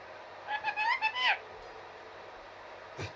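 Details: Pet Indian ringneck parakeet talking: a short burst of high, wavering speech-like syllables lasting under a second, followed by quiet room noise and a single soft knock.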